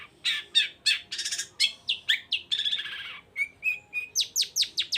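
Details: Long-tailed shrike singing vigorously to rouse other shrikes: harsh grating phrases and a drawn-out scratchy note, then three level whistled notes and a quick series of sharp descending chips.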